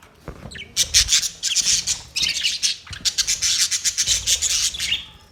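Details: Quick repeated bursts of raspy, high parrot chirping, pulsing in short loud chunks several times a second after a soft start.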